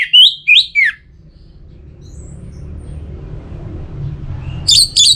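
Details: Orange-headed thrush (anis merah) singing to prompt other birds into song: three loud, sharp, downslurred notes open the phrase, followed by a quiet pause and two high clipped notes at the close.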